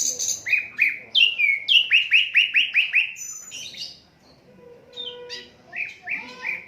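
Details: Asian brown flycatcher, unedited recording intended for teaching songbirds: a steady train of about eight evenly spaced bright chirps, a brief thin whistle, a soft lull, then more slurred chirps.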